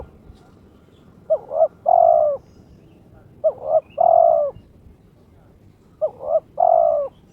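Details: Spotted dove (terkukur) kept by its owner, in breeding condition and calling out a rival: three clean phrases, each a short double coo then a long level coo, spaced about two and a half seconds apart.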